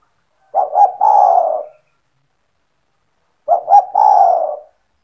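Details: A keen-calling spotted dove (tekukur) owned by the keeper, intended to draw other doves into calling: two identical phrases three seconds apart, each a stuttered pair of low notes then a drawn, mellow coo fading downward.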